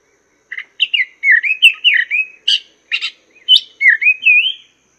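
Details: Chinese hwamei song used as a master recording for tutoring cage birds: a lively string of clear, slurred whistled phrases, rising and falling, mixed with a few harsh buzzy notes and brief pauses.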